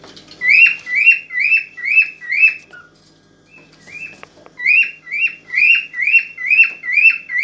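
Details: Mating song of an excited cockatiel aimed at stimulating the female: five evenly spaced downslurred whistles, a pause with faint clicks, then a steady run of seven more.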